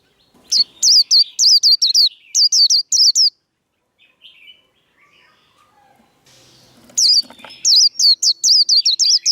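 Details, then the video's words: White-eye 'líu đấu' fighting song to train cage birds: two bursts of rapid, high, falling whistle notes, about ten each, separated by three seconds of quiet with faint soft chirps. "Vành khuyên líu đấu. Kích lửa vành khuyên líu đấu"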